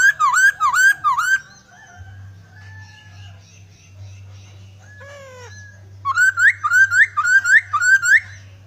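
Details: Laughingthrush in full song with fill-in phrases: a run of quick dipping whistles, then a quiet pause with faint, downward-sliding notes, before a fresh burst of loud, rising whistled notes delivered in rapid succession.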